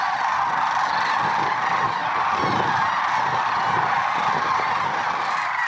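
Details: Massed lesser sandhill cranes calling at dawn in February 2023 at Merced National Wildlife Refuge; many birds trumpet at once in a steady, crowded chorus with faint low rustling beneath.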